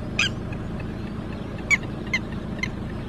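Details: Red-wattled lapwing that has lost its chick, giving a few short, sharp, shrill notes spaced about half a second apart against steady low background noise.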